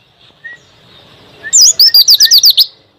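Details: Pleci, a white-eye kept as a songbird, singing a bold song used as training material for cage birds; a rapid run of about eight high, sharply repeated whistled notes follows quieter faint chirps, with no other sounds.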